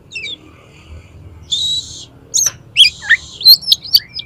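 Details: Oriental magpie-robin, tail open, singing a challenge for another magpie-robin to fight; buzzy, grating held notes alternate with sharp downslurred whistles and quick high chips, growing louder toward the end.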